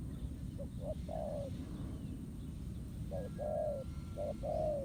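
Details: ['Low mellow coos from a wild spotted dove responding to a decoy at a ground trap, two short bursts of paired notes separated by a pause, with low background hum.']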